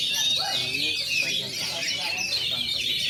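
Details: At its first contest, an Oriental magpie-robin fluffs its plumage while singing in shooting and running styles; a thick wall of rapid high chirps and slurred whistles from several birds fills the short stretch.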